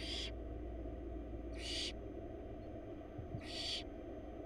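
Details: Baby barn owls in Florida being fed by their mother; wild birds at a nest box. Three loud, rasping hisses about 1.5 to 2 seconds apart, with a constant low background hum.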